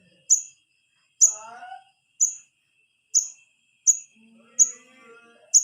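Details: Wiceh chick calling its parents, used as a lure for adult birds: short, sharp high-pitched chips repeated about once a second, with faint softer chatter and other bird notes in between.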